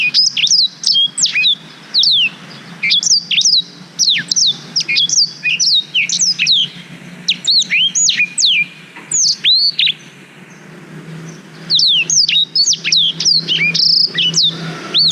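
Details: Black-throated canary song meant as a model for young canaries, taken on a GoPro Hero 5: long sustained outpouring of bright, high slurred whistles and chips in rhythmic bursts, one short pause near the middle.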